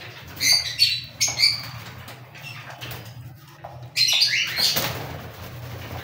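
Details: A pair of sharp cockatiel screeches opens, followed by a quieter pause with faint clicks, then a louder burst of overlapping squawks and a rustle.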